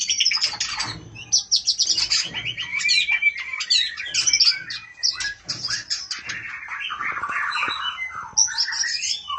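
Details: Oriental magpie-robin female calling to a male, a busy run of sharp chirps, slurred whistles and short trills delivered nearly without pause, sometimes rising and falling, with a quiet background.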